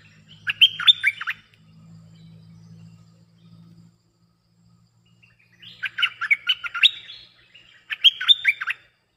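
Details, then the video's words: Bulbul song for luring wild birds: three bubbly, rapid phrases of slurred whistles, the first followed by a low humming drone, then two closely spaced bursts near the end. "เสียงนกดอกแตงEp.190 2หลักกว่าจะลง!! หลัก2 มาโดยไม่ต้องเรียก Suara pikat merbah lekir gacor"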